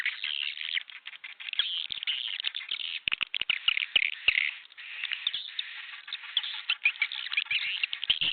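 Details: Swiftlet sounds for luring birds to a newly built bird house: a steady, dense wash of high twittering and chirping, occasional louder chirps and faint ticking clicks.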